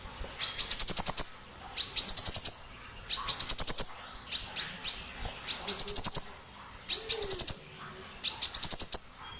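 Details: Sunbird, a small loud-voiced bird used as a tutor recording to provoke other songbirds such as white-rumped shamas to sing: seven short bursts, each a rapid run of about six thin, sharp, rising notes, repeated roughly every 1.3 seconds.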